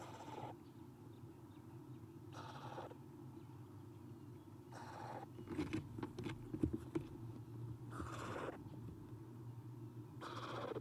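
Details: Eastern screech owl owlets, three in a nest box on a nest cam, morning of 30 April 2016 at 9:54 am after an adult leaves: four harsh, hissing rasps about every two and a half seconds, with clattering and scratching midway and steady low hum.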